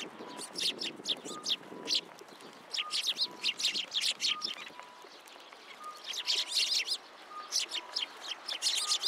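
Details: Group of sparrows arriving for food left on a post at a Tenmangu shrine, with white pigeons nearby, 27 January 2023; dense, irregular chattering chirps in bursts, sharp and high, with a faint steady tone underneath.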